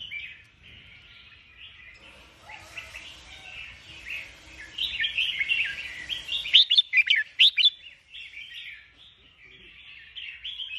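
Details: Sooty-headed bulbul, white-crested, singing a run of chattering, bubbly phrases that build into a louder, sharper burst of notes midway, then ease back to softer warbling, with faint low background rumble early on.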